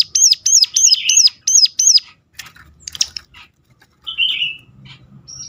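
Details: Sunda warbler's sharp luring call, meant to prompt other Sunda warblers to sing: six rapid high arched notes, followed by softer scattered chirps and a faint rustle.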